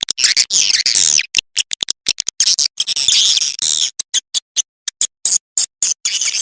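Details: Swiftlet lure call from the Lintas Borneo blend, meant to bring swiftlets in: loud high chattering twitters over a faint hiss, breaking into clipped, stuttering chirps with frequent short silences toward the end.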